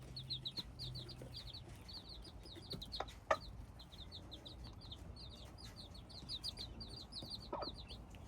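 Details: Chorus of hybrid chicken chicks giving rapid high cheeps, each a brief falling note, tumbling over one another almost continuously, plus a sharp knock near the middle and low background rumble.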